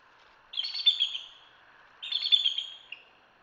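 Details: Two bursts of shrill, rapidly stuttered chittering from a bald eagle at a live camera in Hanover, Pennsylvania. Each run lasts about a second, with a soft hum underneath.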